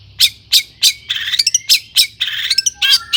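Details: Long-tailed shrike singing, used as a lure so other shrikes start to sing: evenly spaced harsh notes, then grating buzzy rasps mixed with brief whistled tones.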